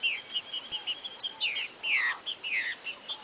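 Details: A green-winged saltator sings a rare song type, noted only around Ipatinga, Minas Gerais, and used for training young birds. It is a lively run of clear whistled notes, some sliding and some chirped, in quick phrases with barely a pause.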